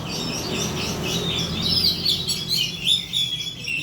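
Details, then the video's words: Oriental magpie-robin song as a lure to prompt singing. Fast flowing whistles and ringing high notes blend with scratchy twitters in a continuous stream, against a low hum. "pancingan kacer agar bunyi"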